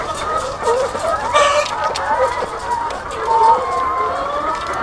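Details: Egg-laying chickens by the thousands on a farm fill the air with a steady din of clucking and bent, wavering notes overlapping from countless birds, with a brief louder burst near the middle.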